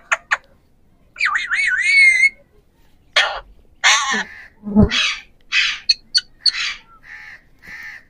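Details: Three Indian ringneck parakeets (Pahari parrots) chattering together on 7 January 2024: two sharp clicks, a wavering warbled whistle, then rough squawks, a low croaking note and a series of quick high chirps and harsh notes.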